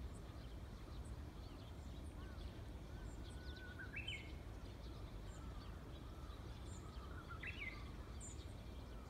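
A Japanese bush warbler gives two phrases, each a long, steady low whistle that leaps into a quick, rising flourish, over a constant low rumble and faint chips from other small birds.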